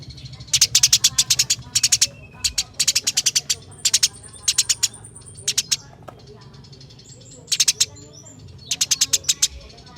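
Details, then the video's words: Eurasian tree sparrow fighting chirps in a rolling style, used as a master recording to prompt sparrows to sing: sharp, clicky chirps in rapid bursts of four to eight, separated by short pauses, over a low hum. "Masteran Burung Gereja Tarung Gacor Ngeroll Abis"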